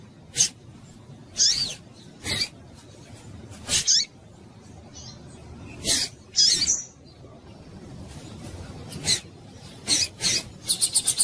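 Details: Call of a female double-collared seedeater used to excite a male into song: scattered thin, high chirps and slurred notes at irregular intervals, interleaved with loud broadband clicks, ending in a quick run of rapid ticking notes.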